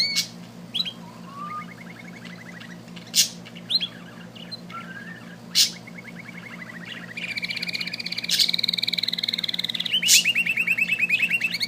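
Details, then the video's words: A little bird sings: scattered chirps and sharp clicks give way to long, rapid buzzy trills that grow louder and denser toward the end, with a low hum underneath. "amazing little bird singing"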